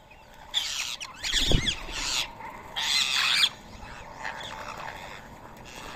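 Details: Rose-ringed parakeets at a morning rice feeding in Coimbatore, India, 31 March 2024, 7 AM. Harsh, broad, grating screeches of varying length overlap, the loudest lasting nearly a second, with a thud near 1.5 seconds and softer chatter afterwards.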